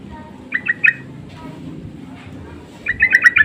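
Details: Sooty-headed bulbuls calling back and forth as a lure: two bursts of three or four short, bright, chirpy notes, one early and one at the end, separated by a quiet stretch over a low background rumble.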